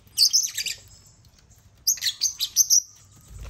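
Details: African lovebirds gathered at a millet-filled toy crane; two dense bursts of excited, shrill chattering chirps separated by over a second of near silence.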